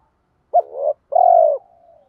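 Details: Single 'kích bổi' phrase from a spotted dove: a short, stuttering coo and then a longer, steady, low coo that fades into a soft trailing tail.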